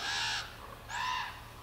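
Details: Demanding raven babies at Ford's Cove asking for food give two harsh, drawn-out nasal caws, each under half a second, separated by a brief pause, over a faint steady hum.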